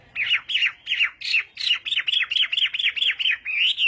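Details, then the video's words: Chinese hwamei in fighting song during morning voice training: a steady series of about thirteen loud, clear downslurred whistles, each roughly a quarter second apart, ending in a slightly longer rising note. "Hoạ Mi Hót Đấu /hoạ mi hót sáng luyện giọng"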